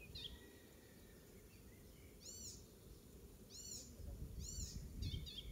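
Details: Oystercatcher imitation by an icterine warbler singing in a Pieterburen garden in May 2022: three loud, ringing, arched piping notes about a second apart, with softer twitters at start and end.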